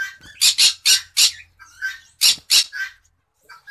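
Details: Cinnamon green-cheeked conure at its breeding cage, giving harsh, broad squawks in quick bursts of two to four, each short and rasping, with brief pauses between groups; a low hum sits underneath.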